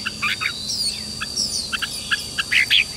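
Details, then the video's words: Red-whiskered bulbul training song meant to spur birds into loud competitive singing: short, bright chirpy phrases in quick bursts, with thin high twittering and a faint steady high whine behind. "luyện cho chào mào bổi hót | luyện giọng chào mào hót sáng kích bổi hót đấu căng lửa. chào mào hót"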